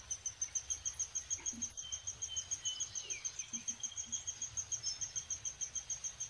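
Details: Downy woodpecker; begging call; chick begging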